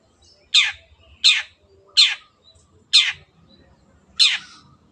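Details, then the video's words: Long-tailed shrike in full, lively voice, recorded as a clear tutor song for other birds to copy: five loud, harsh, rasping notes, each sweeping downward, spaced about one second apart, over a faint low hum. "MASTERAN BURUNG CENDET GACOR"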